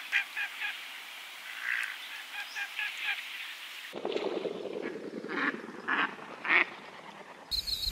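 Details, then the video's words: Pacific black duck calling: short, nasal, harmonic quacks in uneven bursts, some in quick runs of three or four, others spaced singly, with the background changing abruptly midway and a brief different sound at the very end. "Pacific Black Duck Call Song Sound"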